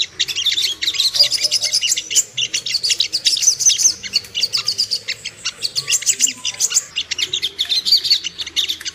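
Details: High-pitched twittering song of a Ruby-cheeked sunbird, played to rouse birds into aggression and breeding condition; fast, thin, piercing chirps run almost continuously with small rises and falls in intensity.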